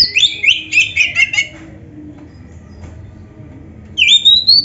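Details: Oriental magpie-robin (kacer) training song: a quick cluster of chirpy, stuttering notes, a pause of about two seconds, then a long rising whistle with a short final note.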